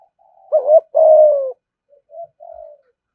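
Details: Spotted dove kept as a cage bird, cooing in the thúc gù style: one loud wavering coo, then a long smooth falling coo, followed by two faint short coos.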